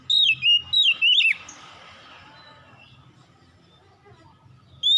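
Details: Oriental magpie-robin in the evening twilight, singing four quick whistled, downslurred notes, then a long quiet stretch with faint background noise before a new whistle begins.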